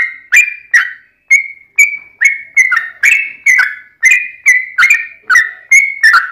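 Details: Combative long-run Yellow-vented bulbul song used to draw replies from other bulbuls: about fourteen rich whistled phrases, each starting with a crisp click then sliding or holding steady, delivered at a brisk uneven pace with brief pauses.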